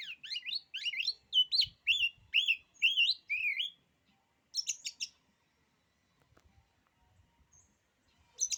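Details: Oriental magpie-robin in full song, said to shake other birds' confidence: a fast varied string of looping whistles and trills for about four seconds, then sharp clustered notes and near silence.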